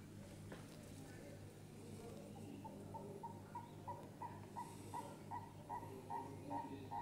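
Guineafowl chicks give short, repeated peeping notes, several per second, over a steady low hum.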